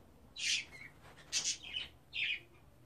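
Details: Budgerigar babies at 24 days of age making harsh, scratchy chirps in three or four separate bursts, one doubled, over a quiet background.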